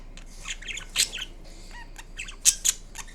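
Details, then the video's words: Indian ringneck parrot, a green pet bird, giving varied vocalisations: scratchy chatter, a short whistled note, then two sharp piercing screeches near the end. "Kiwi The Ringneck Parrot Making Different Sounds Part 2"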